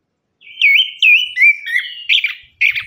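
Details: Orange-headed thrush lure song to stimulate lazy singers: loud, clear slurred whistles with swooping dips, several in succession, ending in scratchier, rapid warbled notes.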